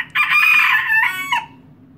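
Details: A miniature cockerel gives a single kikiriki crow, a rough, harmonically rich note of about a second that breaks into two falling steps at the end, with a faint low hum behind it.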